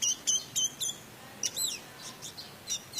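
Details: Orange-headed thrush, 'teler' style song with rich mimicry, used as a lure to get other birds singing. Clipped high chirps repeat about four times a second, then a downward-slurred whistle and scattered thinner notes follow.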